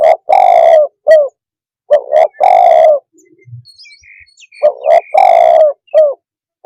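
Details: Spotted dove cooing in repeated phrases of double notes, a long hoarse coo, and a clipped tail note. Between phrases, soft chirps and twitters from other birds are audible.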